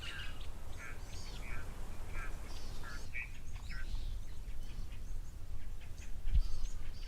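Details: At an African waterhole on 12 June 2024, with zebra, impala and blue wildebeest present and little wind, Natal spurfowl make a racket: loud, harsh, grating calls in rapid overlapping bursts over steady low rumbling noise.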